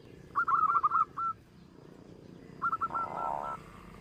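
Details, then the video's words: Local zebra dove used as a lure recording; two brief bursts of quick, clipped cooing notes about two seconds apart, set against a steady low rumbling background. "perkutut lokal suara besar.dijamin buat pancingan no1."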